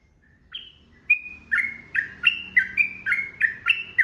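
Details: Sooty-headed bulbul singing gacor in long ropel style. A faint note opens, then a steady run of clear, fluty two-part whistles follows roughly every third of a second, with a low hum underneath.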